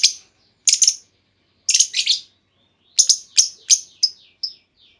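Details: Female lovebird call meant to make other lovebirds answer with long trills; paired and grouped shrill squeaky chirps, then a quickening series of sharp descending notes fading out.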